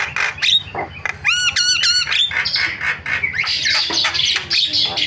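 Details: Starling lure calls to get other starlings calling: harsh chatter, three ringing rising-falling whistled notes in quick succession, then a long stretch of scratchy, jumbled squawking.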